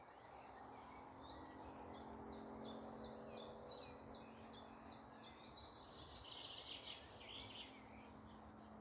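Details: Birds singing in woodland in the morning near Malton, North Yorkshire; a bright rhythmic run of about a dozen high, downward-slurred notes dominates, other chirps behind, faint steady hum low down.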